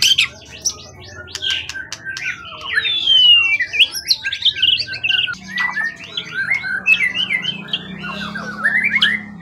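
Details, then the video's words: Competition bird caught in the forest, tail above 20 cm, tame after long care: a busy, squawky medley of harsh notes, sharp chips and sliding whistles, with a low steady hum joining halfway through. "Burung event ori hutan ekor 20cm up lg on banget"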